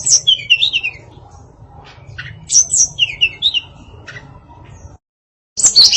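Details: Female hill blue flycatcher giving a varied song: scattered high whistled and twittering phrases with quiet gaps, then a short burst at the end over a low background hum.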